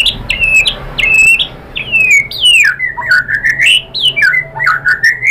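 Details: Murai batu, the white-rumped shama, sings as a lure to stir other birds: strong clear whistles, each sliding upward then holding, followed by a lively run of downslurred and upslurred notes repeated in quick succession.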